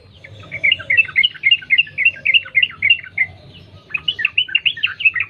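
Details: Yellow-vented bulbul from the wild in vigorous rapid song, used as a lure: an extended bubbly chatter of quick warbled notes, a short gap, then more lively chirping over a low hum.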